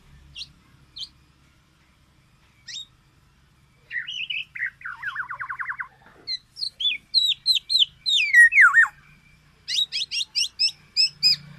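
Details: Black-naped oriole: scattered sharp notes, then a fast wavering trill. Slurred whistled calls and a run of short, high, repeated notes follow over a faint low hum.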